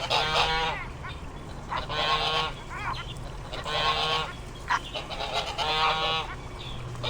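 Swans give loud, nasal, trumpeting honks in bursts roughly every two seconds, with harmonic-rich tones; a low steady hum runs underneath.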